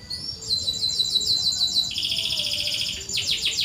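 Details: Softer canary song for encouraging reluctant singers: a steady high rolling trill of repeated notes, dropping to a lower trill midway, then a brief burst of quick chirps.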